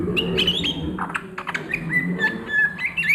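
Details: At midday, an Oriental magpie-robin gives ngriwik-style song: clear sustained whistles, some flat and some slurred, broken by brief clicking bursts, with a low background hum.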